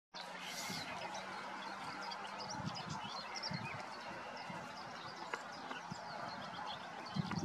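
A marsh warbler sings a fast, continuous jumble of varied chattering and whistled high notes, partly drowned by a steady low hum of background noise.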